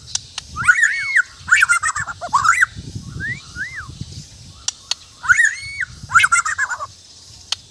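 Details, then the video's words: White-rumped shama giving repeated whistled, arched phrases in short groups with pauses between, over a background of low rumbling noise and a few sharp clicks. "Indahnya suara dan gaya burung murai batu"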